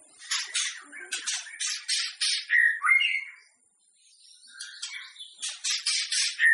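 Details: White-rumped shama vocalising to spur rival shamas into song before a contest: rapid runs of harsh, scratchy chattering notes with a few short whistles, a pause, then more chatter.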